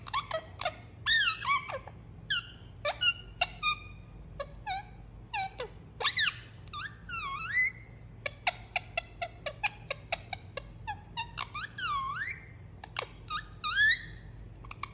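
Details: Pet Indian ringneck parakeet making soothing sounds while cuddled: continuous chatter of curling whistled squeaks mixed with rapid clicky chirps, some notes sweeping up and down, with a steady low indoor hum.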